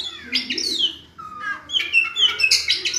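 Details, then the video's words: Oriental magpie-robin singing vigorously: loud, rich phrases of sweeping whistles, slurred falling notes and quick bright trills, varied from phrase to phrase with a short pause between bursts. "kicau KACER"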